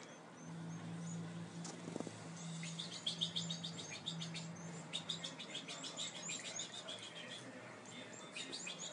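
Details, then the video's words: Fast runs of high, tinkling chirps from European goldfinches at a nest, growing busier midway, against constant low humming and broad background noise. "Nido de jilgueros"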